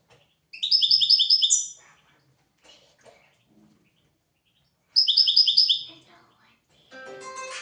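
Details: European goldfinch song recorded for teaching goldfinches and canaries: two quick, bright phrases of repeated high twittering notes about four seconds apart, soft clicks between, ending in a buzzy harmonic sound.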